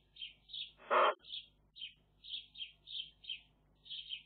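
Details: Magpie nestlings on a nest camera give short, high, wheezy notes in a steady series, about two a second, broken by one loud, harsh, rasping squawk near the middle.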